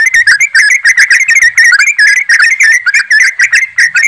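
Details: Yellow-vented bulbuls chorusing in rapid 'ropelan' style, a lure for getting birds to sing; busy stream of sharp bubbly whistles, several per second, overlapping voices and no background noise.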